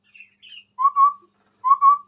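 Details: Chestnut-rumped babbler calling eagerly close to a phone: a few soft high chirps lead into two clear, low, sustained whistles, the second following under a second later.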